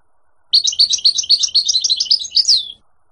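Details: A wild Moroccan European serin gives a rapid, high, jingling song of squeaky notes that tumble together for about two seconds, with no other sounds.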